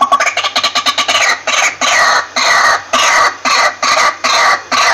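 A waterhen gives loud, harsh, clucking notes in a rapid stuttering run that settles into steady squawks about twice a second.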